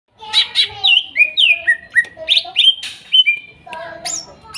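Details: Greater green leafbird song meant as therapy for birds that stopped singing; forest-caught birds from Kuningan, trotol and nopeng stage. Rapid run of clear whistled notes sliding downward, interleaved with sharp high chips, steady and dense throughout.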